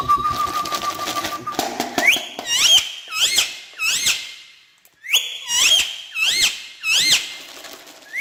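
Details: Talking parrot on a stair utters a series of harsh, squeaky, hooked squawks, roughly one every half to one second, in two bursts split by a short pause; a steady low whistled tone comes before them.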